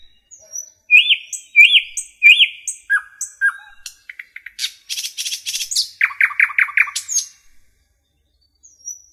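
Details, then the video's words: Common nightingale song in a forest, opening with three loud looping whistles, then low piped notes, a stuttering series, a high rasping trill and a burst of repeated rich notes before falling quiet. "Nightingale song"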